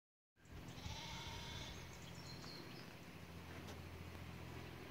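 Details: A peacock at Hartland Abbey, UK, gives a drawn-out, nasal wailing cry lasting over a second, with stacked overtones. A constant low rumble runs underneath, and some fainter high notes follow.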